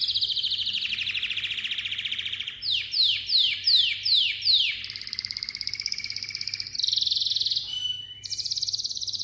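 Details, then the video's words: Malta canary in full song: a long fast trill, then a run of five or six loud down-slurred whistled notes about half a second apart, followed by rolling trills at changing pitches and a final high trill; faint low hum behind. "kanarya ötmesi - Malta kanarya ötümü"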